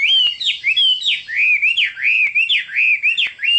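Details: Chinese hwamei pouring out a rich continuous song of looping, slurred whistles, each phrase rising and dipping, repeated rapidly without pause.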